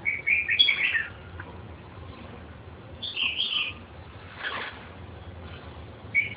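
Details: Red-whiskered bulbul song in short warbled bursts separated by pauses of a few seconds, each a quick cluster of bright whistled notes, with faint background hum.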